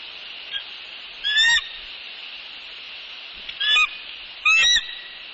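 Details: Adult bald eagles at a nest in northeast Florida, 6 pm on 20 January 2019, recorded by a nest camera: three bursts of high, thin, chattering piping notes with a squeaky, slightly falling quality over a steady background hiss.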